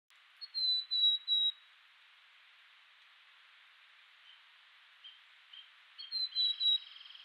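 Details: On the Oregon Coast, a Black-capped chickadee gives two quick bursts of three high, clipped whistled notes, each slightly falling, several seconds apart over a steady background hiss.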